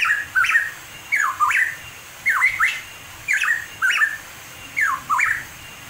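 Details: Wild pitohui recorded near East Java mountains: a steady series of paired whistled notes, each swooping down and then up, spaced about a second apart over light background hiss.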